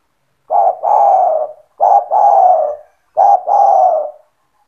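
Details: Loud spotted dove kept by its owner, calling to lure other doves: three evenly spaced two-part phrases, a short clipped coo followed by a longer purring coo, repeated about every 1.3 seconds.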